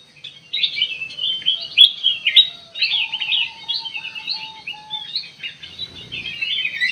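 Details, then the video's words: Sooty-headed bulbul played as a lure to prompt a response; continuous twittering and chirped phrases in dense runs, with a steady faint mid-pitched tone in the middle and light background rumble. "burung kutilang emas buat pemikat langsung respon"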